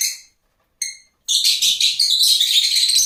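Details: Two clipped, ringing lovebird squeaks spaced apart, followed by a dense burst of fast, high-pitched chattering.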